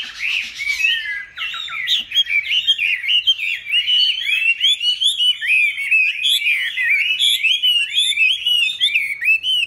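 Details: A Chinese hwamei kept in a cage since being caught young, now in its fifth year, pours out a long, varied song of fast slurred whistles and chattering notes, with brief breaks in a steady rhythm.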